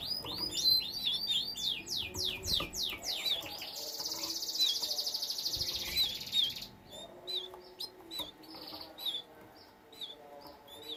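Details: A bred canary delivers a fast trill of repeated downslurred notes, then a long harsh buzz with whistles over it. After that come spaced, clear whistled chirps.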